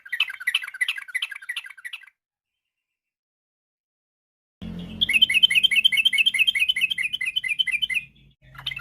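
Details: Yellow-vented bulbul giving rapid varied song in the afternoon, meant to lure other birds into singing: a two-second bubbly phrase, silence, then a long run of quick rolling notes over low background noise.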